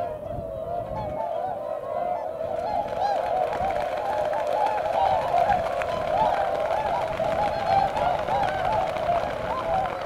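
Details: Swans in February at about 8 a.m., taking a running start into the wind before flying; a thick, unbroken mass of honking from many birds with rushing, splashing-like noise beneath.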